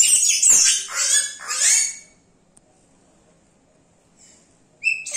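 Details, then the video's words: Yellow-rumped cacique singing and imitating other sounds: loud, harsh, sweeping high notes in three bursts over two seconds, then near silence before a sharp clipped note pair at the end. "Xexéu cantando imitando!"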